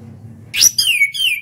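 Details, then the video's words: Orange-headed thrush, a national champion contest bird, singing in the open ngeplong style: a loud rising whistled note, then two clear descending whistles with sharp high overtones, over a faint low hum. "KICAU ANIS KEMBANG NGEPLONG"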